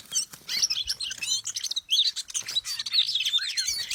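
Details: Oriental magpie-robin lure song: busy, unbroken twittering with quick slurred chips and high buzzy trills packed closely together, and a faint low hum underneath.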